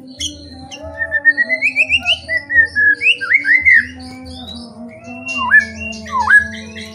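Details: Lure song of a white-rumped shama, meant to set other shamas singing: quick runs of clear whistles stepping upward, later dipping, looping whistled notes, with a continuous low tonal drone underneath.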